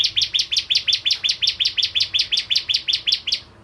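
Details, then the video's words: Rapid, buzzy-edged chipping from a bar-winged prinia, about eighteen loud, high notes in quick even succession, close together. "Burung Prenjak Jawa Gacor"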